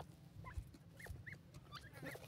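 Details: Sindhi teetar (francolin) pair playing in lush green grass; soft, short upward-arching chirps repeated irregularly, a few per second, over low steady background rumble and occasional thumps.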